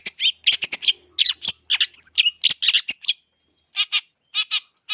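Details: Long-tailed shrike lure song for training birds: busy run of harsh chatters and clear whistled slurs, followed by three spaced, rasping buzzy notes near the end.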